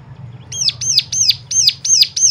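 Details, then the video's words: High, piercing chirps begin after a brief pause and repeat about three times a second. The bird sound is intended to stimulate other birds to sing, with a soft low hum underneath. "full suara rangsangan jadikan cigun lain mana tahan auto gacor seketika"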